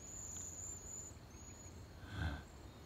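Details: A spring migrant flock of Cedar Waxwings in a blackjack oak in Oklahoma, third week of April, presumably feeding on flowers and leaf buds, gives very high, thin, hissing trilled whistles in drawn-out bursts; a man's voice briefly cuts in.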